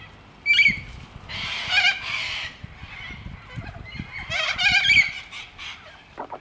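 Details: Little corellas in a huge suburban Melbourne flock of over a thousand birds foraging on ground and trees; harsh screeches and raspy bursts overlap, with low background rumble.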